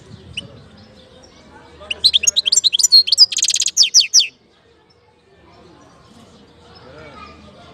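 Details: European goldfinch recorded in Algeria in 2019: a two-second volley of rapid, high liquid twitters with one harsh buzzy trill in the middle, preceded and followed by quiet, faint background sounds.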